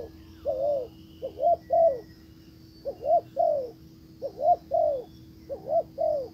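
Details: Spotted dove used as a decoy, calling to lure a wild bird: low, hollow coos in repeated three-note phrases, each a short double note followed by a longer rolling coo, about four phrases over six seconds; steady faint hum behind.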